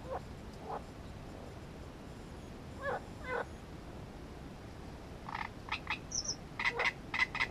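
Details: Great reed warbler at its nest, recorded for breeding-behaviour study: scattered rasping notes early, then a quickening run of harsh, croaky phrases building toward the end over steady background hiss.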